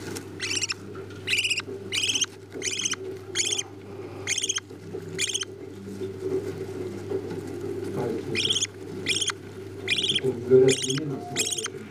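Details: Budgerigar chicks being fed by their parents: raspy, buzzy begging calls in short bursts repeated roughly every second, over a steady low hum.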